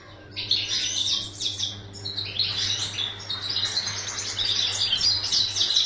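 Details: Captive European goldfinch kept for breeding pours out a sustained, sparkling twitter of high chirps that grows livelier toward the end, with a faint low hum beneath.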